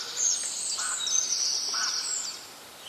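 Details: Birds singing in nature: loud, high, thin whistled phrases with sliding and trilled notes, plus two lower, softer whistled notes near one and two seconds, over a quiet background.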